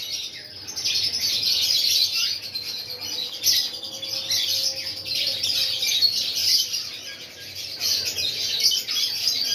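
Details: Breeding pair of pineapple conures giving dense, rapid high chirps and chattering notes, many per second, loudness rising and falling irregularly throughout, with no other clear sounds.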